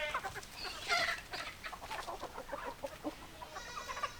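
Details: Several chickens clucking in a busy overlapping chorus of short, harsh notes, with a drawn-out harmonic call near the end; no clear full crow.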